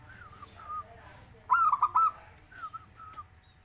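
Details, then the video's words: Zebra dove (perkutut) kept as a singing bird, giving a soft, whistled cooing phrase of rising and falling notes, a louder clipped trill in the middle, with low background hum. "burung perkutut menjadi fighter gacor"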